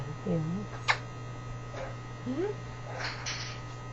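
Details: Pet Quaker parrot indoors giving short curved whistles, one falling then rising and another rising sharply, amid a steady electrical hum, soft clicks and a woman talking to the bird.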